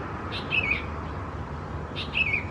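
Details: Sooty-headed Bulbul chicks (Pycnonotus aurigaster thais) at Khao Yoi, Phetchaburi, Thailand, June 2020: two short, bright, down-slurred chirps about one and a half seconds apart, each led by a soft click, over a quiet hiss.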